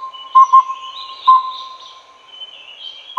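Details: Collared owlet, Glaucidium brodiei pardalotum from Taiwan, sounding a paired toot-toot followed by spaced single whistled notes, all at one pitch; a continuous hum and warbling higher birdsong in the background.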